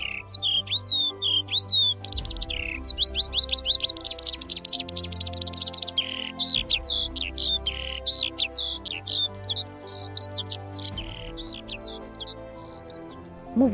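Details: A Eurasian skylark sings in spring in Poland, just back from wintering around the Mediterranean or in Western Europe: a fast, unbroken stream of high trills, chirps and slurred whistles over a soft low background hum.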